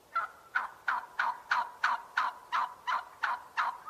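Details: Turkey giving a steady series of short, sharp calls, about three per second, each note rising abruptly then falling away, eleven in under four seconds with a quiet background.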